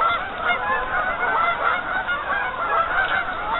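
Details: Large flock of geese on a partially frozen lake, honking continuously; many overlapping nasal calls form a dense, steady chorus with no pauses and no other clear sounds.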